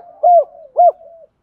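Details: Spotted dove cooing meant to set other doves cooing; two loud mellow coos about half a second apart over a low continuous murmur.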